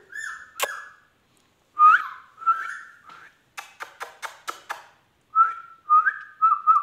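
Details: Indian ringneck parakeet in a talking display, heard indoors: sharp whistled notes, a quick run of about six dry clicks, then short slurred whistled phrases repeated in close succession.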